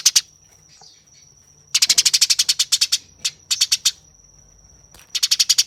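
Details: Eurasian tree sparrow in a fight, giving harsh, rapid chattering bursts of dry chips in several runs separated by pauses, over a steady high whine in the background.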